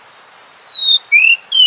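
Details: Oriental magpie-robin singing: three clear whistled notes, the first long and gently falling, then two shorter rising-falling whistles, with soft background hiss.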